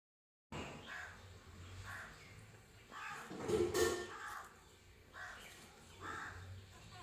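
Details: Grey parrot (Psittacus erithacus), call.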